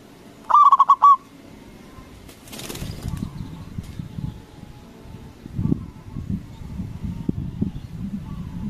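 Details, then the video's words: Local zebra dove calling to provoke other doves to respond; one stuttering phrase of short cooing notes at the start, followed by rustling, a brief flutter-like burst and soft low background noises. "Perkutut lokal Gacor Suara BESAR bikin Cepat Emosi Lawan Auto Nyaut Seketika"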